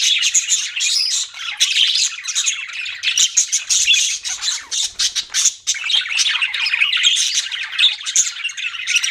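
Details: Budgies chirping and squawking, harsh rapid chatter with a run of sharp clipped squawks in the middle, then smoother warbling chatter to the end.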